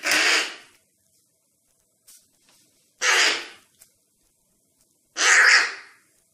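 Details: Hungry fledgling crow that fell from the nest, fed by hand by people planning to release it; three harsh, breathy rasping calls spaced about two and a half seconds apart, with quiet gaps between.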